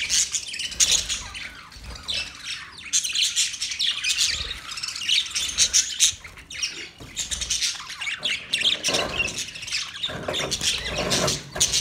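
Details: Budgerigars, Australian parrots, in a group: dense continuous chatter of high scratchy chirps and warbles from many birds at once.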